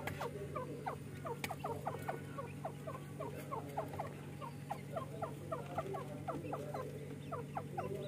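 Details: Two francolin chicks fighting and playing together, giving rapid, overlapping series of short, downward-slurred chirps at a middle pitch, repeated several times a second, over a steady low hum.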